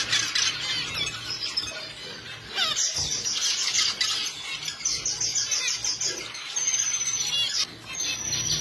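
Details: Finch giving busy, high-pitched chirping: rapid thin twitters and short trilled runs packed closely together, with a faint low hum underneath.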